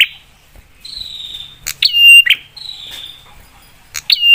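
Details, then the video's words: Prinia singing to provoke other prinias into replying: long level whistled notes alternating with loud, sharp, downward-sweeping notes that settle into a steady high tone, about three phrases in four seconds, over a quiet background. "Prenjak suara PEDAS bikin prenjak lain cepat nyaut dan emosi"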